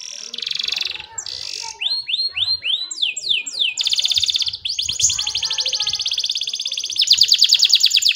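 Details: Energetic canary song used to train young canaries and stir quiet ones: varied phrases of buzzy rolls, repeated downslurred whistles, and long rapid trills, changing tour every second or two, with faint background noise.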